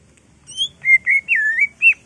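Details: Greater green leafbird, caged, singing excitedly to provoke other birds: a short phrase of pure slurred whistles, a high note followed by four looping, wavering whistles rising and dipping, clean with a faint low hum.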